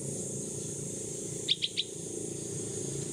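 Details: Sixteen-day-old hand-reared baby bulbul, rescued from a cat after falling from its nest, calling for its mother while practising flight outdoors; three quick high chirps in a rapid burst over a steady low hum.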